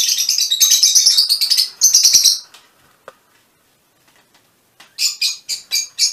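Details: Shrill, rapid chattering from a mutation Fischer's lovebird for over two seconds, a quiet pause, then five separate sharp high chirps evenly spaced at the end.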